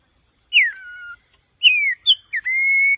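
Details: White-rumped shama singing clear, pure whistles: a long note sliding downward, another falling slur, then a short note and a steady held whistle, in a quiet setting.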